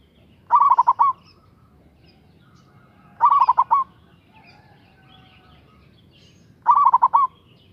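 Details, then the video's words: Local zebra dove with a big, loud voice, used as a lure to call and provoke a rival: three short bursts of four or five rapid, rolling coo notes, repeated about every three seconds over a low background hum. "Suara Perkutut Lokal GACOR Suara Besar Ampuh memanggil LAWAN Emosi Manggung"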